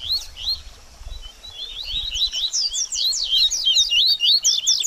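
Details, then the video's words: Double-collared seedeater baderninha song, for warming up a bird after moult: opens with soft, sparse high notes, then speeds into a loud, continuous torrent of sharp twisting slurs. "BADERNINHA DE COLEIRO Top Pra Esquentar Seu Coleiro Pós Muda De Penas"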